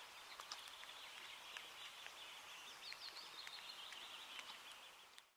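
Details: Eurasian Teal (Anas c. crecca) in Lahemaa National Park, Estonia, June 2017: a steady chorus of short, high, clipped whistles and ticking notes, overlapping without pause, like many teal calling together at once.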